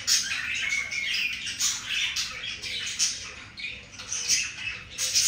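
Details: Budgerigar pair during mating; loud buzzy chattering with sharp squawks and chirps, continuous and rasping, dense throughout.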